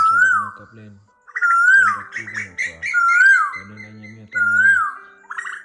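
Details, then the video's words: Asian koel, male and female calling to each other to gather the flock. Clear whistled notes rise then fall, repeated about every one and a half seconds, with low, throaty pulsed sounds between the whistles. "Tiếng Chim Tu Hú Gọi Đàn"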